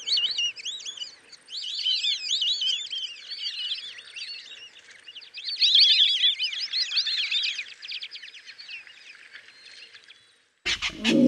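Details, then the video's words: A flock of adult white-faced whistling ducks at Lake Panic in Kruger National Park gives a dense chorus of clear, overlapping high whistles, which fades before a brief loud noise ends the clip. "White-faced Whistling Duck (Dendrocygna viduata) Bird Call"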